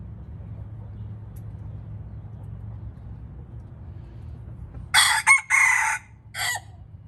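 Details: After several seconds of near silence with low hum, a white-eared red junglefowl crows once: two fast harsh syllables, a longer strained middle note, then a detached short end note.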